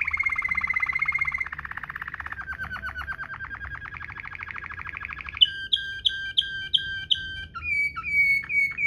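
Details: Waterslager canary rolling song meant as a tutor recording, shifting from a high rolled trill into lower rapid rolls, then a series of clear whistled notes repeated about twice per second.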